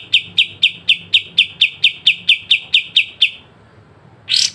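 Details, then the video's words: Sharp besetan song of the pied triller, recorded clearly for training songbirds: a run of about thirteen evenly spaced bright notes, a pause, then one harsh burst at the end. "kapas tembak dengan besetan tajam"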